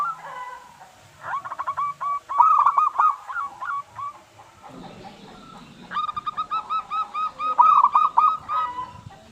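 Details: Zebra doves of a local strain singing, used to lure others into song: two long, busy runs of rapid cooing notes, overlapping voices, with noisy background between them.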